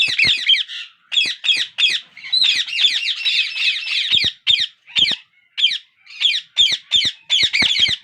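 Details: Several parakeet babies calling for food during feeding by their father. Grating, shrill squawks repeat in rapid pulses, sometimes merging into a sustained harsh chorus, then returning to separate bursts with short silences.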